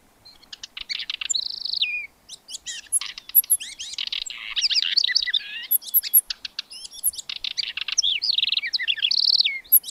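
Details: House Wren from Argentina: a long, bubbly, fast song of rapid ticks, trills and slurred warbled phrases that keeps changing and pours on almost without a break.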